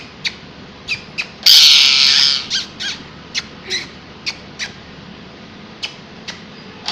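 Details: Parrot screaming: one loud, harsh, drawn-out shriek lasting under a second, preceded and followed by short sharp clicks or chirps repeated at irregular intervals, in a quiet room.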